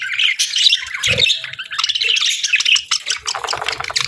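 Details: Several budgies chatter in a continuous stream of scratchy, buzzy chirps and squawky notes, bright and high, with faint low knocks underneath.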